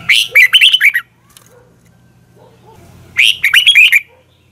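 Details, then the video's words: Red-whiskered bulbul morning song used for training caged birds and stirring wild-caught birds to sing: two bursts of quick, bubbling whistled notes, each about a second long, separated by a two-second pause with faint low hum. "Luyện chào mào hót sáng"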